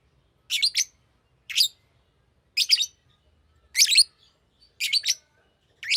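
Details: Green lovebird repeating short, shrill, rasping chirps, usually in pairs, roughly one burst per second over six seconds.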